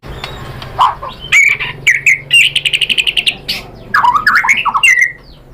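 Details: White-rumped shama (murai batu) in steady full song rich in mimicked filler phrases, used as a lure so other shamas answer; loud whistled slurs, then a fast run of bright repeated notes and tumbling warbled phrases.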